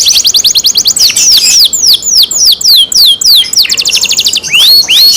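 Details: Canary kept at home delivering a loud, fast song of high sweeping notes, each sliding downward, grouped into rolling trills with short rising whistles near the end.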